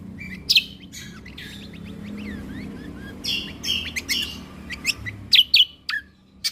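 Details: Lesser green leafbird (cucak kombo) in full, active song, a tutor recording with shot-like 'tembakan' fill notes: sharp falling whistled notes and quick chattering bursts, loudest in the last three seconds, over a low steady background hum.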